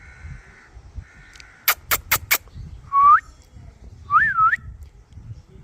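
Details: Pet Indian ringneck parakeet in its natural voice: flat buzzy notes, then four sharp clicks in quick succession, followed by two loud whistled calls, the first rising, the second wavering up and down.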